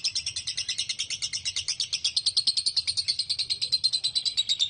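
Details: Long 'konslet ngekek' of a lovebird, played as a lure to set other lovebirds singing; rapid, unbroken string of shrill chattering notes, very high-pitched, with a faint low hum underneath.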